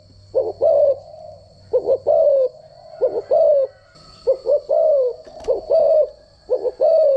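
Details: Spotted dove decoy cooing, the standard voice used for training doves. Short low grace notes lead into longer hollow coos, in uneven groups with brief pauses, over a persistent thin high whine and a faint low hum.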